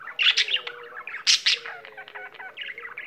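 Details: Caged pet budgerigar in full song, unwilling to stop once started: loud scratchy bursts opening into a quieter run of fast ticking and warbled chatter.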